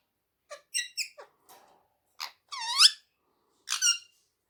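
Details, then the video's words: Pet rose-ringed parakeet, a talking bird with Urdu and Hindi words, utters a string of short clipped syllables, then a loud swooping, nasal phrase rising and falling, and a final scratchy note, indoors with no other sounds. "Bolane wala Tota amazing talking parrot Urdu and Hindi"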